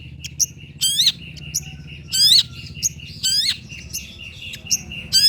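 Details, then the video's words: Long-tailed shrike on a training lure recording: loud, harsh rasping bursts with rising sweeps, repeated roughly every second, alternating with a steady thin trill of rapid notes. "PANCINGAN CENDET SUSAH BUNYII, DIJAMIN GACOR DENGAR SUARA CENDET INI"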